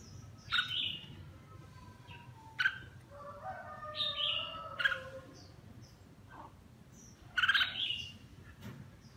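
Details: Red-whiskered bulbul, má lỡ and mào lân form, singing during a bath: a series of clear whistled, warbling phrases with sliding notes, several bursts over nine seconds, quiet hum between.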